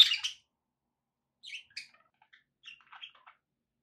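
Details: Pet budgerigars kept for company: a loud, sharp high chirp opens, followed after a pause by a scatter of softer, short twittering notes.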